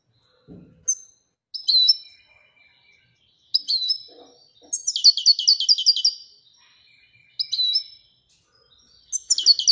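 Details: Royal-type European goldfinch singing sparse, bright high notes separated by pauses, then a fast tinkling trill of about ten rapid notes, and further twittered phrases.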